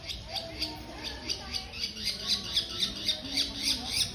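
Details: Long-tailed shrike (cendet) singing a rapid run of harsh, rasping, scratchy bursts, about four per second at a steady pace, with faint softer tones underneath.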